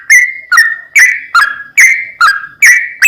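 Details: Sooty-headed bulbul song used as a lure: eight clear whistled notes, evenly spaced about every half second, some dipping then levelling.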